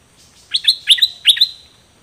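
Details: Two Dok Taeng birds, recorded in 2020 so that young birds can learn the song: three paired, sharp whistled chirps with bright overtones, evenly spaced over about one second.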